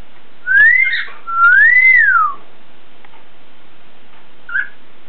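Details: A pet cockatiel whistles two clear, pure notes that each rise and then slide down, ending with a brief chirp, while being coaxed to whistle.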